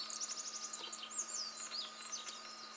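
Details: An olive-backed pipit sings at Mount Fuji's 4th station, Japan: a fast, high jumble of thin sweeping trills and buzzy chirps, running continuously without pause.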